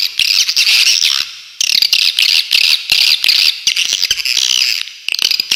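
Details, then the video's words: Swiftlet, a very clear recording made as a tutor track for songbirds and featuring sharp 'besetan' phrases: dense, shrill, high chirps in rapid bursts, with short pauses near the middle. "suara masteran burung walet super jernih besetan joss"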